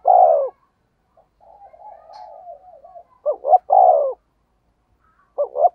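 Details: Spotted dove used as a decoy, cooing in the fast rustic 'thúc gù' voice. A long falling coo is followed by a lull of faint, wavering background cooing, then clipped double notes and another full coo.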